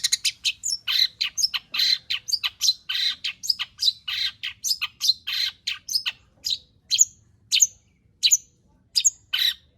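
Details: Long-tailed shrike in full song packed with varied mimicked phrases, played to prompt other shrikes to sing: a dense, fast run of harsh chattering and sharp whistled notes, then spaced bright high chips toward the end.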